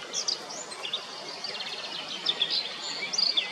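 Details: ['Singing blackcap: short bursts of high chirps and warbled phrases scattered through the clip, with a loud cluster of notes near the end, over constant outdoor hiss.']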